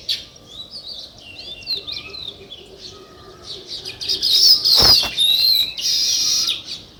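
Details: Natural sparrow chirping, said to be weaver birds: soft, scattered warbled notes at first, then a sudden burst of loud, high, overlapping chatter in the second half.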